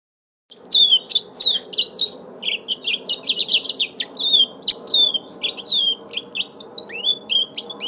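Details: Five-month-old mule canary singing, recorded on a phone: a continuous rapid run of varied chirps, twitters and downslurred whistles, high and bright, with a faint low hum underneath.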